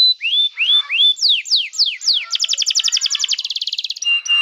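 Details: Canary song for tutoring young birds: three rising whistles, four falling whistled slurs, then an accelerating bright trill of repeated notes ending in short high chips.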